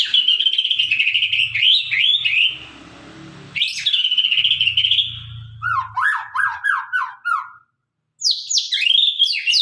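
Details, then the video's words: White-rumped shama of the Sabang line, described as singing freely with a sharp voice: loud, high whistled phrases with rapid downslurred notes, then a series of lower falling notes and a bright final burst, with low rumbling noise underneath. "murai batu gacor murai sabang suara tajam"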